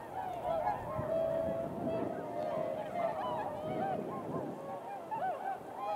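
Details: Swans heading into the wind for takeoff on an early February morning around 8 a.m.: overlapping bugling honks from a group, a few long level notes among many short bent ones, with soft background noise.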